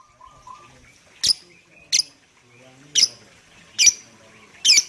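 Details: Lovebird sound used as a lure to prompt other birds to sing along: five sharp, shrill, high chirps spaced roughly a second apart, each a brief harsh burst, with faint softer twittering and low murmurs between them.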